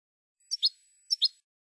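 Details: European goldfinch from a Spanish silvestrismo song recording, CD Canton number 12: two short paired high chirps, each a quick double note, about half a second apart, with a clean quiet background.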